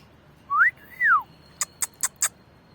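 A parrot gives a clear two-part whistle, rising then swooping down, followed by four sharp clicks.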